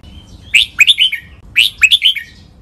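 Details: Red-whiskered bulbul phrase from a Thai song collection used to teach caged birds to copy: two identical short bursts of three or four bright, slurred chirping notes, about a second apart, against a quiet background.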